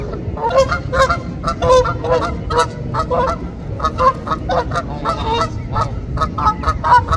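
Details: Canada geese with goslings swimming and feeding on water honk steadily, about two or three harsh, nasal calls a second, overlapping from several birds, over a low rumble of background noise.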